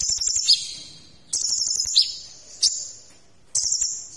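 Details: Sunbird known locally as kolibri ninja, recorded as a song tutor for other cage birds. Thin, very high sustained buzzy notes are broken by sharp downslurred chips, in phrases roughly a second apart.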